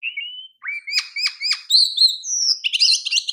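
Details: Champion kacer, an Oriental magpie-robin, opening with a thin level whistle, then three evenly spaced sharp chirps, high clear whistled notes and a final scratchy chatter, recorded for master training.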